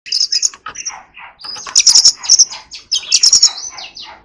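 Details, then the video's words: Oriental magpie-robin in song training, singing in the 'forest voice' style: bright high whistles and rapid chattering phrases, sharp notes clustered around 1.8 and 3.2 seconds, with brief pauses between bursts. "choè than hót giọng rừng"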